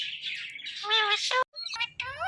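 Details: Calling "Mithu", an Indian ringneck parrot mixes rough, raspy squawks with short, tonal, speech-like notes, separated by a brief silence.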